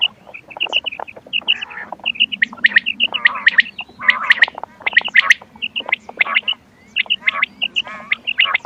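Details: Quail (bater) call recording for use in quail hunting, dated 20 October 2025: quick, dense bursts of sharp chirps and squeaky notes, repeated several times a second, with a steady low hum underneath.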